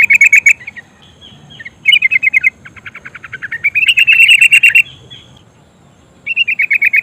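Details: Sooty-headed bulbul female in 'ngerol' rolling voice, calling a male and meant to prompt singing: quick stuttering note bursts, then a longer fast trill of about a second before a short pause and a final burst.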